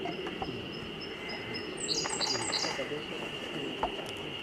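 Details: Siberian blue robin singing in spring forest at Togakushi Forest Park, Japan, on 24 May: three spaced high notes leading into a quick high trill, over a continuous droning background hiss.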